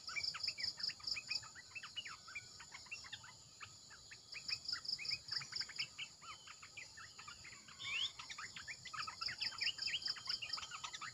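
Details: Decoy calling of caged Red-eyed bulbuls: lively continuous chatter of short bubbling notes from overlapping birds, with bursts of rapid insect ticking and a steady high drone throughout.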